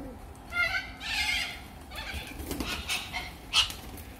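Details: Little corella giving harsh, raspy screeches in several broad bursts, the loudest lasting about half a second, over a faint steady background hum.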